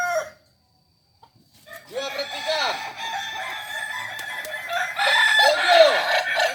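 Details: Kokok Balenggek roosters at a practice crowing contest in Ampang Kualo, Solok city. After a near-silent opening, several overlapping arched crows rise and fall in stepped notes, with dense rooster voices continuing to the end.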